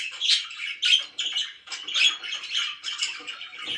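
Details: Pet budgies chirping in the morning, rough chattering bursts and squawky notes arriving in uneven pulses about twice a second, steady throughout.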